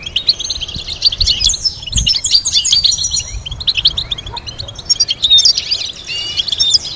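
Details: European goldfinch song used for teaching melodies: rapid, dense twittering of short chirps and tinkling trills, with brief whistled notes and buzzy fragments, nearly continuous for seven seconds, with a faint low rumble underneath.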